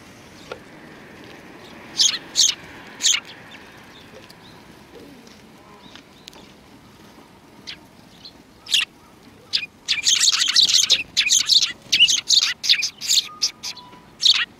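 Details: Sparrows recorded on 2 January 2019: a few isolated high chirps early on, then a lively, rapid burst of overlapping tweets from several birds in the second half, over a quiet background.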